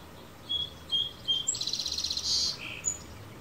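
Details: Male sparrow singing in the morning on a backyard fence in California, recorded with an Olympus PEN E-PL9: three short high whistles, then a fast buzzy trill and a lower closing note, with faint background hum.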